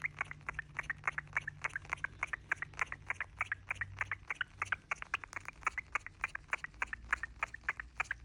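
A cockatiel gives a rapid, steady string of short, bright chirps, about three or four each second.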